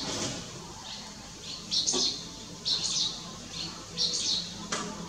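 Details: Lugu, 30 June 2022: striated swallow calls as quick high twittering bursts, four or five in five seconds, some notes trailing in pairs, against soft background noise.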